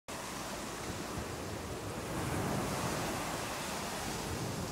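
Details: Steady wash of surf and gusting wind across the microphone at the seaside, swelling slightly halfway through, without any bird voices.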